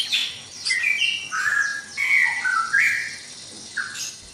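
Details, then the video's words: Captive white-rumped shama in a breeding cage at dawn, singing clear whistled phrases: rising and falling slurred notes and brief sharp upsweeps, several phrases in quick succession with short gaps, plus a high thin note near the end. "Suara murai batu berisik dikandang ternak saat subuh"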